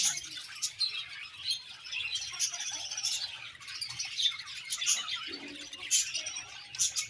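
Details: Budgerigars chatter as a happy colony, giving high, rapid overlapping chirps and warbles that swell and fade in waves across the whole stretch.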